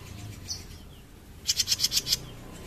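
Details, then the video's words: Young kept bird known locally as jenggot mini, newly weaned to feed itself and already calling: a quick run of six sharp, high, evenly spaced chirps over about half a second, after one lone chirp, against quiet low background hum. "JENGGOT MINI BARU NGOMBYOK LANGSUNG BUNYI"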